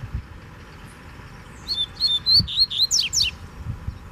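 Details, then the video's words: A wild, free-flying Double-collared Seedeater comes at a caged bird with strong song: a rapid run of bright, clear whistled notes followed by fast descending sweeps. Soft low thumps and a few spoken words are heard nearby. "Coleiro Solto Veio Com Força Pra Cima Do Braddock"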